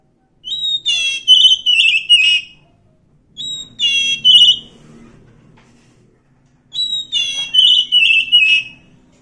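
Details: Wild Oriental magpie-robin singing: three loud phrases of clear, rich whistles with warbled, slurred notes, each phrase lasting about two seconds, separated by short pauses, in an otherwise quiet setting with a faint low hum.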